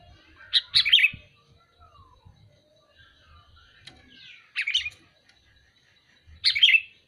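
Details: Sooty-headed bulbul calling: three bursts of sharp, burry chirps, a doubled one at the start, then single ones roughly every two seconds, against a quiet background.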